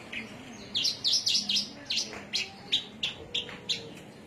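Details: Javan myna from Cilacap, Indonesia, giving a string of about twelve bright, high chirps, some slightly downslurred, repeated about three per second over a soft low hum.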